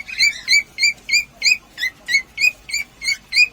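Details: Cockatiel sound for prompting pairs to mate: eleven clear, short chirps with a slight upward inflection, spaced evenly about three per second against a quiet background.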